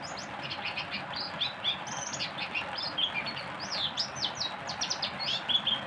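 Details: Oriental white-eye delivering a rapid 'tembakan' song: dense, nonstop twittering of high sweeping and trilled notes, loud and lively throughout, with light background hiss.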